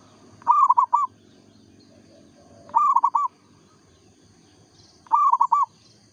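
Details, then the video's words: A local zebra dove sings in short bursts of three or four quick, clipped coos. The phrases repeat roughly every two and a half seconds over a low rumbling background and a faint high-pitched hum. "perkutut lokal gacor suara asli bikin ribut sekampung"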